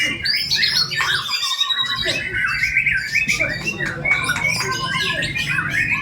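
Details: White-rumped shama in a bowing posture, singing a richly filled song: dense, fast, varied whistled and chattering phrases, mostly high-pitched, running without pause over a low background rumble.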